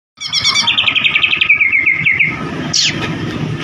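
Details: Oriental magpie-robin song used to provoke another bird to sing: rapid repeated whistled trills sliding downward, then a sharp rising note, over low rumbling traffic.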